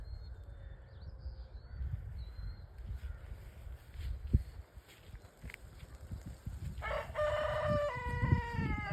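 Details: In a garden, a rooster lets out one loud, rich, drawn-out crow near the end, over soft talking and outdoor rustle, with a few faint high chirps early on.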